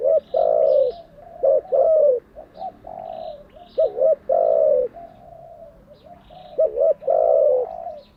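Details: Decoy spotted dove cooing, used to train captive doves: about four phrases of a brief wavering double note and a drawn-out falling coo, with faint high bird chirps behind.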